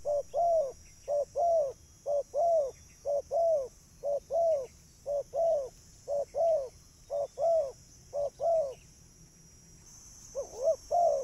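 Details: Spotted dove calling to draw in other birds: a long run of paired coos, a short hoot then an arched longer note, repeating about once a second before a short pause.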